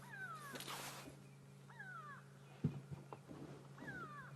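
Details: Grey go-away-birds giving alarm calls at sunrise in Sabi Sand, 31 May 2016, possibly at a hyena; drawn-out descending nasal calls repeated about every 1.5 seconds over a steady low engine drone, with a few knocks.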